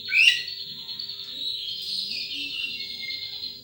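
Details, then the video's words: Wild sunbird opening with a sharp rising note, then a sustained high thin trill wavering slightly in pitch and fading toward the end; a faint steady low hum underneath. "Suara Burung Madu liar"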